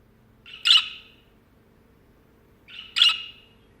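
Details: Budgerigar perched on a person's hand, giving two loud, harsh, screechy chirps about two seconds apart, each starting with a softer lead-in note, in a quiet room.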